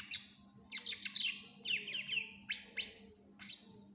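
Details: Greater green leafbird in vigorous, fill-rich song for coaching other birds: clusters of quick downward-slurred whistles and sharp high chips in spaced bursts, backed by a faint steady hum.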